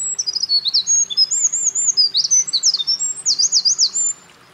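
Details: Singing Eurasian wren at a mountain pass, 28 April 2024, during nest building; a fast, loud cascade of high trills and chattering notes lasting about four seconds, then ending abruptly.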